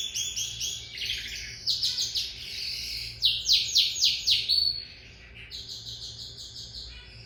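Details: Lizard canary in song: rolling trills and chattering notes building into a loud burst of repeated downward-sweeping whistles, ending in softer, lighter chirping phrases.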